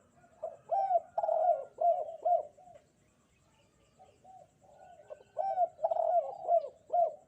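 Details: Spotted dove in lively voice on a bright morning: two bursts of rounded, bending coo notes separated by a quiet gap of about two seconds, with faint twittering of other birds.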